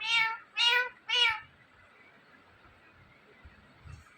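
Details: Indian ringneck parakeet imitating a cat's meow indoors: three nasal, harmonic meow-like calls about half a second apart, followed by quiet room noise.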